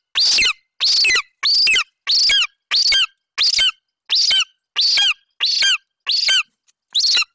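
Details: Juvenile male golden eagle at a Bucovina nest, 27 July 2021, calling while he mantles a partial Eurasian hare after the mother's delivery. Eleven harsh, high-pitched squealing yelps come at a regular rhythm, with one gap near the end.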